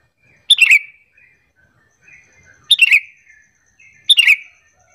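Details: A sooty-headed bulbul gives a lure call to make other bulbuls answer: short, bubbly, chattering phrases, three bursts in five seconds, bright and fairly high, with quiet gaps between.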